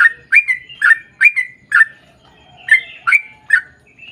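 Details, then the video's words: Sooty-headed bulbul giving a long, rapid song aimed at getting others of its kind to sing: loud, slurred chirps in a steady run, a short lull, then three more bright notes. "KICAU SUARA trucukan gacor ROPEL PANJANG pancingan trucukan agar bunyi"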